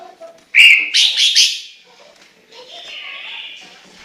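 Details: Chinese hwamei giving a bright whistled note followed by a quick run of three loud, slurred whistles, then a softer, drawn-out warble fading away.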